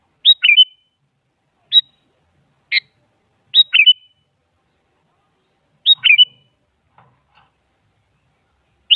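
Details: Sooty-headed bulbul used as a lure for silent birds and described as a female calling the male: sparse sharp chirps, some quickly doubled into a two-part note with a downward flick, separated by pauses of one to two seconds.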